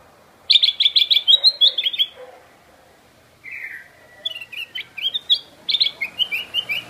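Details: Black-crested bulbul calling loudly: a rapid run of bright chirping notes, then a lower slurred whistle after a pause, followed by further quick, bouncing, warbled phrases.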